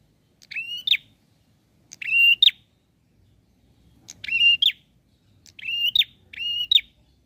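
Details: Bar-winged prinia in lively song toward a rival; harsh, buzzy flat notes with a rising tail, repeated about every one to two seconds, quiet otherwise.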